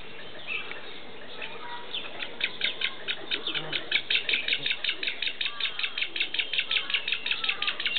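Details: Black-faced spoonbill chick being fed at Tama Zoological Park, Japan; after two seconds a rapid, insistent run of short, high squeaky notes begins, about three per second, steady to the end over a faint low background hum.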